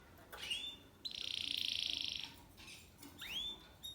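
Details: Spanish Timbrado canary, a 7-month-old male, singing in discontinuous timbrado style: a rising whistle, a sustained metallic buzzing trill of about a second, then another upward-sweeping whistle, quiet with background hiss.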